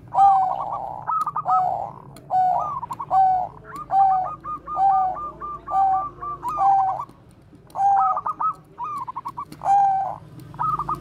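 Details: Bangkok zebra dove, used as a lure to train other doves, delivering a lively bekur koar-koar song: purring coos alternating with rapid runs of rolling notes, repeated over and over for eleven seconds.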